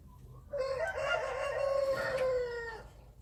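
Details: Wild chicken crowing: one sustained, slightly falling crow lasting about two seconds, strong and steady, against faint background noise.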